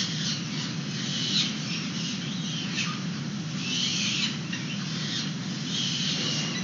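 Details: Peregrine falcons feeding young outside a nest box, recorded by a live webcam in San Francisco on 29 April 2021, one youngster sitting in the sun. Faint, scratchy high squeals come in short bursts over a steady low rumble of background noise.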